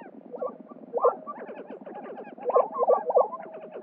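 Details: Male Lesser Prairie-Chickens displaying to females and fighting at a spring lek in New Mexico: overlapping hollow, bubbling hoots with quick rising-and-falling notes, several birds calling at once, with brief louder peaks near the middle and end.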